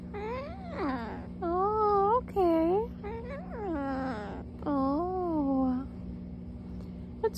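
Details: Macaw at home, giving a series of tonal, harmonic, wavering calls that rise and fall in arcs, several bursts over seven seconds, with a person talking softly and background music.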